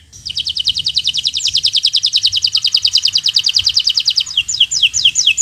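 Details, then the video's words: Bottle-green local canary singing for birds learning to sing: a very fast, even high trill lasting several seconds, breaking into a few slower descending whistles. "Suara Burung Kenari Gacor Cocok untuk Pancingan Burung Belajar Bunyi"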